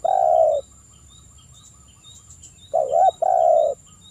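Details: Spotted dove sounds from a lure recording to prompt calling: a flat, sustained low coo, a pause with faint chirps, then a wavering double coo followed by another long steady coo.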